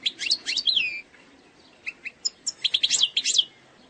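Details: Eastern 'sector sharqi' song of an Algerian goldfinch, sung without errors: a quick burst of liquid twittering, a brief pause, then scattered sharp chips building into another tumbling twitter.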